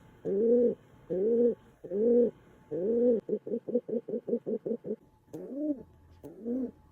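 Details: Pet house pigeon showing affection for feet indoors, giving deep hollow coos: four long droning notes, then a rapid run of short pulsed coos, ending with two rising-falling coos.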